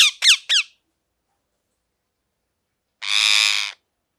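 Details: Parrot giving three quick, harsh, downward-sweeping squawks in a rapid burst, then a pause of about two seconds and one longer, rasping, broadband screech. No other sounds are heard.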